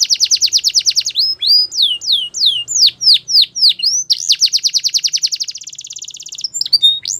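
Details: Canary singing fast high trills, then a run of slower descending whistled notes, then another long rapid buzzy roll and a brief bright note series at the end.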